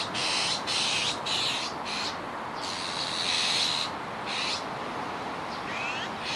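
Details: Harsh, breathy shrieks from a juvenile azure-winged magpie, Kiba Park, 17 July 2019, delivered as a near-continuous chain of rasping bursts, fading to softer calls with a faint rising note near the end.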